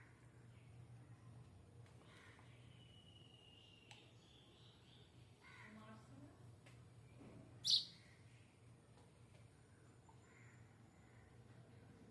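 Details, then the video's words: A sparrow gives one sharp, bright chirp partway through, after a few faint high twitters, over a quiet low background hum under a clearing sky. "Soft chirps under clearing sky."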